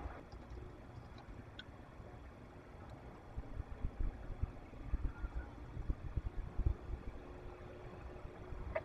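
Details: Low rumbling background noise with occasional soft knocks and faint ticks.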